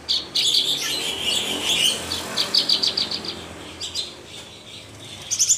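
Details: Mottled Javan bush lark (Horsfield's bush lark, Mirafra javanica) in full song pours out a fast, unbroken stream of high, varied twitters and sharp chirps, with brief trilled bursts toward the end.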